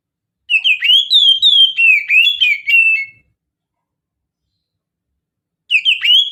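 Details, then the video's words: Mountain-style oriental magpie-robin song played as a lure: a burst of sweet slurred whistles with quick upward flicks lasting under three seconds, a long silence, then the phrase starts again. "KACER GACOR Suara Khas PEGUNUNGAN, Pancingan Kacer Suara Pegunungan"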